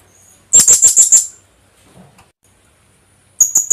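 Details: Lure call of the Philippine hanging parrot, or kulasisi: a quick series of five shrill high-pitched squeaks, silence, then another rapid burst of sharp notes starting at the end.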